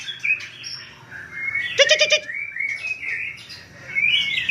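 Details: White-rumped shama from Cot Goh, Bireuen, Aceh province, Indonesia, singing a varied run of clear whistled and slurred phrases, broken midway by a harsh, buzzy rattling burst, with some background hiss.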